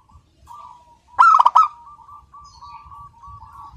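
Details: Local zebra dove singing without pause: soft, low cooing notes repeated in a steady run, broken by a short burst of louder, harsher rolling coos in the middle, then the quiet cooing resumes.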